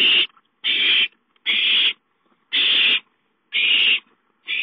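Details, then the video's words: Owlets at home calling for food, recorded 5-9-13: harsh hissing screeches about a third of a second long, repeated roughly once a second with short silent gaps between. "Chicka calls for food"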